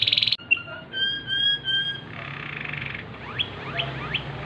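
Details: A Waterslager canary singing at night opens with a fast bubbling trill, holds low flute-like whistles, then adds quick rising slurred notes over a faint background hiss.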